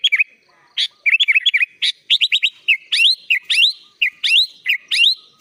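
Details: Sooty-headed bulbul singing in the 'gacor full isian' style, continuous song with filled-in phrases, offered as a master recording for training kutilang: bright whistled notes, sharp chirps and quick rising sweeps in rapid bursts, about two phrases per second, clean background.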